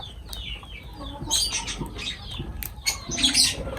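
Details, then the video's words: Pet lovebirds while feeding, uttering thin descending chirps followed by a denser cluster of piercing squeaks, with soft rustling and scratching underneath. "Love birds voice sound"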